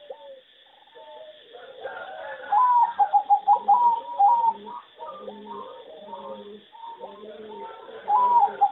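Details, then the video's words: Competition singing zebra dove from a breeding farm, its melody judged poor. A quick run of short staccato coos, then a later shorter burst, over a backdrop of many other doves softly cooing and murmuring. "A lot of Zebra dove from many farms are not so good singing and worst melody"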